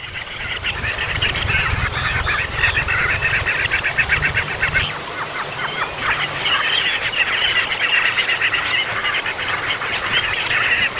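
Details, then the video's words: Chicks begging: a nonstop clamour of quick, harsh chirps in rapid runs, some rising squeaks, over a constant rhythmic high-pitched pulsing and low rumble early on. "ANAK BURUNG PALING HEBOH, MAKAN GAK MAKAN TETAP AJA BIKIN KERIBUTAN!"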